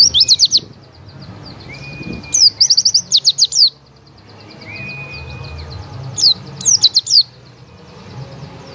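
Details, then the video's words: White-eye song: quick high chattering twitters in short runs, between them a faint long level whistle, over a low background hum. "burung pleci"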